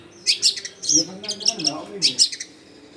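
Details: Long-tailed shrike singing energetically as a lure for wild shrikes, recorded in a dense neighbourhood: scratchy, high chattering bursts in three quick groups over three seconds, each made of rapid rasping notes.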